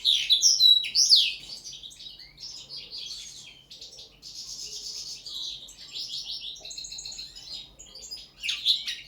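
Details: First-training linnet singing on the table, opening with loud slurred whistles, then a long stream of dry buzzy trills and twitters, ending with a sudden loud burst.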